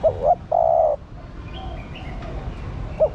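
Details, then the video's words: Calling female spotted dove, used to excite a male: a short double coo leads into a long, even, low-pitched coo. A new phrase begins at the end, with faint high chirps of other birds in between. "Cu Mái Thúc Trống. Chim Cu Gáy Mái Thúc Trống Nhạy Bén. Tiếng Chim Cu Mái Gáy Kích Bổi Hiệu Quả"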